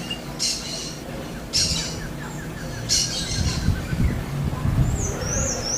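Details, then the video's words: Smooth-billed ani in the wild giving three harsh, buzzy squawks about a second apart, followed by rising whistled notes from another bird and some low rumbling. "BURUNG KICAU"ANU PRETO"(KICAU MANIA)Full Gacor di Alam liar."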